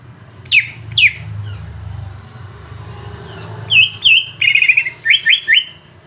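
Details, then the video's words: Song of a greater green leafbird, played to stir up another leafbird: two sharp descending whistles near the start, a quiet gap with low hum, then a burst of warbled, looping notes and quick chirps. "Masteran untuk cucak ijo biar terpancing emosi"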